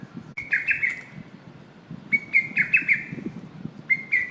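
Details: Lesser cuckoo giving its call: loud, clear whistled phrases of quick, slightly wavering notes, each phrase lasting about a second, repeated three times with short pauses, over a low rumbling background.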